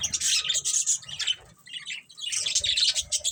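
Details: Several budgerigars chirping: dense, rapid, high-pitched chatter with squawky warbles, in two busy bursts separated by a brief quieter pause midway.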